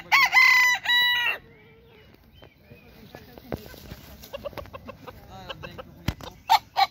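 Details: A Cochin rooster in a park opens with one loud, brassy crow lasting just over a second, then a run of soft clucks and scattered outdoor knocks follows.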